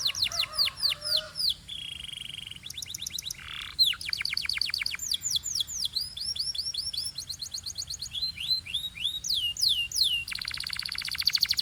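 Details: Canary singing in pure Belgian fashion among joining birds, delivering long groups of repeated down-swept whistles, a low soft warble early on, held tones, and a closing fast rattling roll.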